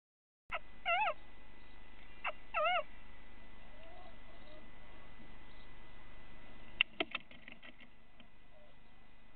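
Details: Two little owls fight in a nest box in the Netherlands, one biting the other, at 8:42 on 8 January 2017: wavering, rising-falling mewing bursts, then sharp clicks and knocks over a steady hum.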